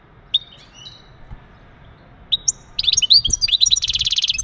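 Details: Male European goldfinch with breeding calls to encourage a female: spaced thin chips and a short whistle, building into fast liquid twittering and ending in a sustained buzzy rattling trill.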